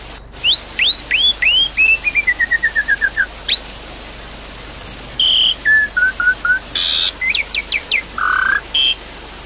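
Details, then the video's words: Javan pied starling used as a lure to restart a bird that has stopped singing: varied loud whistles, falling slurred notes, a run of short descending chips, and buzzy bursts, over a steady hiss of running water. "Therapy Pancingan Jalak Suren Macet Bunyi"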